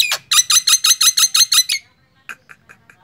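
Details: Nias hill myna delivering a rapid train of about ten harsh, evenly spaced squawky notes, followed by a few softer short calls.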